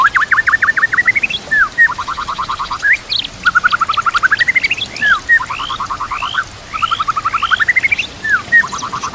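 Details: White-rumped shama singing for training recordings meant to make silent shamas sing, over trickling water: repeated rapid rattling trills broken by upslurred whistles, in a steady rolling pattern.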